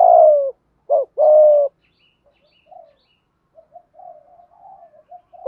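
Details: Spotted dove of the Malaysian type in a thúc gù coo sequence. A long falling coo, a short note, then another long coo, followed by quiet scattered murmurs and the start of a new phrase.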